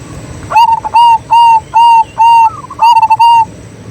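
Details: Local zebra dove, a prolific singer used as a lure to prompt other doves to sing: a quick series of about eight clear, level cooing notes, each short and even, with a rapid stuttered cluster of notes near the end.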